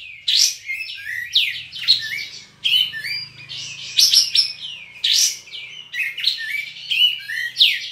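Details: {'caption': 'Caged olive-winged bulbul from Singkawang, West Kalimantan, singing in an online songbird contest: a continuous, varied run of loud whistled and slurred phrases, rising and falling, with a faint low hum beneath.'}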